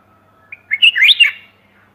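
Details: Bulbul calling for a mate, 28 May 2021: one brief burst of warbled, slurred whistles rising and falling, lasting under a second, in near silence.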